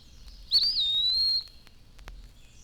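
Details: Eastern Wood-Pewee in spring, calling its name from shade trees after the morning chorus, gives one plaintive drawn-out high whistle that lifts briefly, slurs down, then holds level for nearly a second; faint hiss behind.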